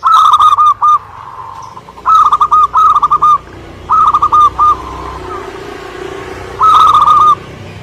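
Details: Energetic song of a local Indonesian zebra dove: clipped, rhythmic coo phrases in short bursts, separated by quieter background cooing and a low rumbling noise.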